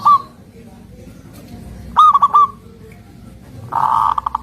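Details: Local zebra dove song: a lone coo at the start, then a stuttered phrase of four soft notes, and near the end a denser buzzy run of notes partly masked by other noise.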